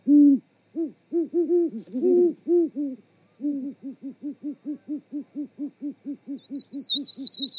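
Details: A pair of great horned owls duetting while mating at the Charlo, Montana osprey nest, 7 February 2018, 18:12. Overlapping low hoots, then a steady run of about fifteen evenly spaced short hoots, with a thin high whistle near the end.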